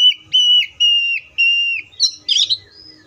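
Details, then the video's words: Oriental magpie-robin giving a run of four level whistles, each ending in a downward flick. A jumbled, buzzy burst of high chirps closes the phrase. "THIS COPSYCHUS SAUCARIS BIRD IS POWERFUL TO MAKE YOUR OPPONENT'S EMOTIONS!"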